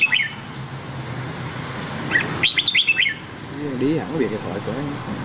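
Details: Red-whiskered bulbul singing in the Nam Đông song style, used to train white-cheeked birds: short bursts of rapid, clear whistled notes that sweep up and down, one brief opening phrase and a longer phrase two seconds later, then a low wavering sound.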